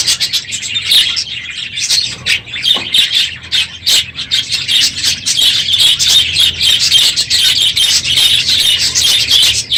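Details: Loud, unbroken chatter of many budgerigars in an aviary one morning after the breeding season, with rapid scratchy chirps, harsh squawks and warbled phrases overlapping throughout.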